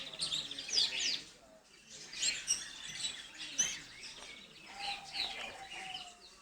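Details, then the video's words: Gloster canary in a pet aviary giving rapid, high twittering song bursts with sharp chirps, pausing briefly between phrases, ending with a level whistled note under the chatter. "Gloster Canary"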